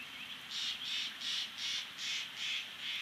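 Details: At a wild bald eagle nest at Big Bear Lake on the morning of 24 April 2019, the male finishes a long feeding of two chicks. High, slightly buzzy notes repeat steadily, two to three each second, over a faint rumbling background.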